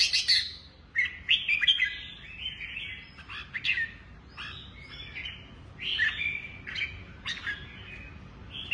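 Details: Red-whiskered bulbul, a kept bird, singing short, bright warbled phrases with sharp chirps, separated by pauses, over a steady low background hum.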